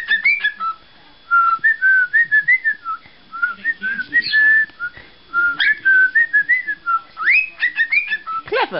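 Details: Indoor pet parrot, male, whistling a tune from "Pop Goes the Weasel" in several attempts: stepwise sequences of pure whistled notes, some held, some clipped, separated by short gaps, ending on a sweeping squeal.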